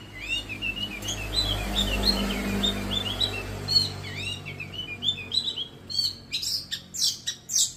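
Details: Young Long-tailed Shrike in training to sing often. Soft, varied twittering and short slurred whistles build into loud, harsh, buzzy bursts near the end, against a low steady hum.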